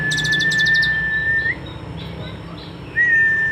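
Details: Kolibri ninja sunbird in song filled with cililin phrases: a burst of rapid high buzzy pulses, then a long steady whistle that lifts at the end, a quieter gap and the whistle starting again, over a low hum.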